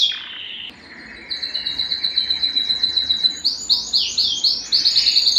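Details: Singing canary used to excite hens for mating: a short faint opening, then a steady high rolling trill followed by loud repeated downward-sweeping syllables.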